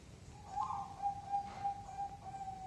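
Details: Zebra dove cooing in a rhythm of 5, 6 or 7 beats; soft low coos, a brief rising opening note then a steady string of even, pulsing hoots, over faint background hiss.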